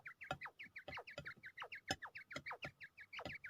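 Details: Quail prepared for fighting, Pakistan: brisk, evenly paced chirps with a hooked shape, about four each second, over sharp knocking clicks.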